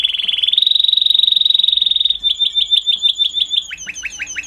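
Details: Canary singing: a fast, even trill of rapid high notes held steady, then breaking into a series of separate downward-sweeping chirps repeated about three per second, loud and clear with a quiet background.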